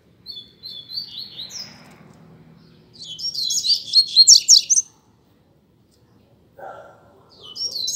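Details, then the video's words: Double-collared seedeater singing in a contest with a rival bird: a few whistled notes, then a loud, rapid burst of buzzy twittering, a silence, a lower brief sound, and the start of another phrase. "Coleiro Disputa de Canto"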